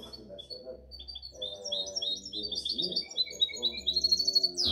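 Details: Seven-month-old goldfinch hybrid from 2019–2020 delivering a continuous, jangling twitter of quick high notes and short trills, ending in a harsh buzz, with a man's Arabic speech running underneath.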